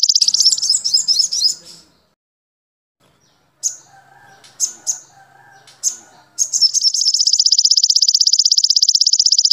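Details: Crimson sunbird tutoring track used to teach other birds: bursts of fast, thin, high chattering, scattered sharp chips over a faint lower tonal background, then a long, even, pulsing buzz of a golden grasshopper.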